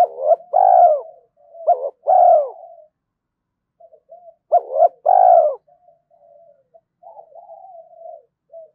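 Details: Early-morning spotted dove cooing to stir fighting and lure. Repeated loud phrases, each a short doubled note plus a long coo, come in quick succession, mixed with quieter murmured coos between them.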